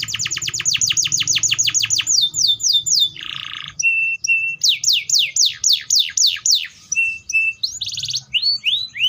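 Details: Singing canary: a long rapid trill of falling notes, a flat tone, a rough buzz, then loud repeated sweeping notes mixed with short whistles.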